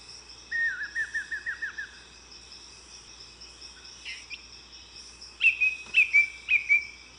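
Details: A Chalk-browed Mockingbird sings varied phrases imitating other birds' songs: a quick run of six descending slurred notes, a pause, then a burst of sharp repeated whistles, over a steady insect hum.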